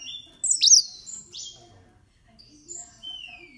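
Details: Short song fragment from 13-year-old green singing finches: a loud, sharp sweeping chirp followed by softer slurred whistles and a long, thin descending whistle near the end, over faint background rustle.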